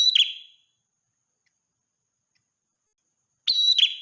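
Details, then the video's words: Ashy tailorbird singing, morning and night: the tail of one phrase, a long silence, then a new piercing whistle sliding into a buzzy trill. "suara burung prenjak merah gacor pagi malam full isian"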